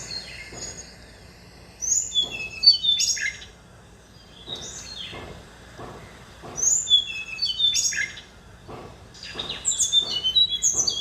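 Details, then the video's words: Tickell's blue flycatcher in a factory garden in Pune, India, at a bird bath: high, sweet, tinkling song phrases in three bursts about four seconds apart, with soft clicks and splashes between. "Bird Tickells Blue Flycatcher / निलिमा नीलमणी"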